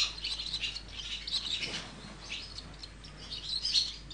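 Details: Swallow chicks being raised in the nest: a dense, steady chatter of thin, high chirps and squeaks, overlapping in quick pulses for about four seconds with no gaps, over low background hum.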